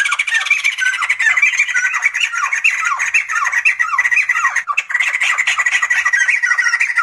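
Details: Sumatran laughingthrush giving a dense, harsh chattering chorus: overlapping squawky notes and short downslurred cries run almost nonstop, with one brief pause near the end before the noisy babble resumes.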